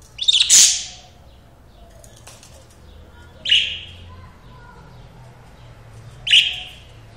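Lovebird giving three shrill, harsh screeches spaced about three seconds apart, the first a sharp double burst, over a quiet background.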